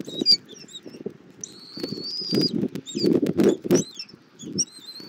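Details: Bald eagle at a Southwest Florida nest camera, morning of 2024-02-24, as the mother feeds her eaglet an armadillo for breakfast: thin high whistled notes, short peeps and one long slightly rising whistle, over low rustling thumps.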